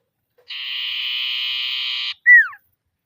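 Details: Trilling ngetir call of a common iora calling rivals: a long, flat, rattling trill followed by a loud short whistle that drops steeply in pitch. Nothing else is audible.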